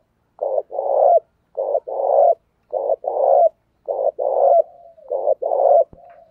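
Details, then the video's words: Spotted dove decoy cooing meant to stir wild doves into calling: low hollow coos around 500–800, paired short-long phrases repeated about every second, steady rhythm, quiet background. "Chim Cu Mồi Thúc Gù"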